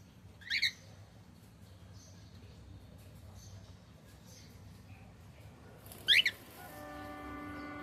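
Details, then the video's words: Male cockatiel giving two shrill, harmonic chirps about five seconds apart. A steady electronic-like tonal hum starts after the second call. "Cute Cockatiel sound 💝🎀male Sound"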